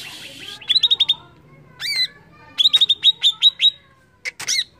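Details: Greater green leafbird singing to provoke other birds, with rapid bursts of sharp repeated chirps separated by swooping arched whistles.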